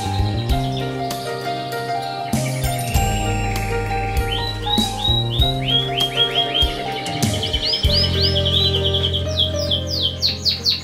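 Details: Adult male green factor canary singing among young birds: rapid series of bright rising and falling whistled sweeps and trills, with steady instrumental music playing loudly underneath throughout.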